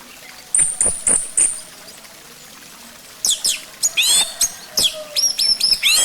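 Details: Orange-headed thrush song meant as a lure to make the bird sing: a few high thin notes, a pause, then lively bursts of scratchy, sharply slurred whistles and chips.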